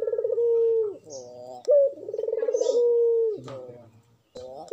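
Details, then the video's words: Spotted dove of Madura stock in breeding condition, lure song for other doves: a rolling pulsed coo ends in a long level note dropping off, followed by a quick rising note and another throbbing roll and sustained tone. "puter GACOR full birahi pancinagn puter agar BUNYI"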